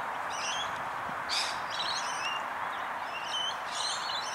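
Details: Long-billed corellas, a group of six in three pairs, in suburban Melbourne, Australia, on 3 September 2019: two harsh, broad screeches about two seconds apart over a steady low roar, with faint high chirping between them.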